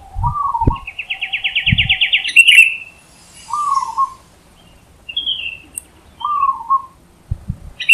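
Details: Wild zebra dove singing loudly: three short trilled coos, spaced about three seconds apart. Another bird gives a long, rapid, rising buzzy trill between them. Low thumps are also heard.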